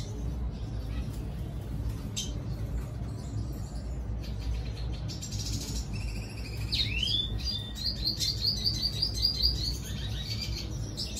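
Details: Red siskin singing to lure a female: faint scattered chips early, then a rising twittery phrase that breaks into a fast, evenly repeated trill of high notes near the end.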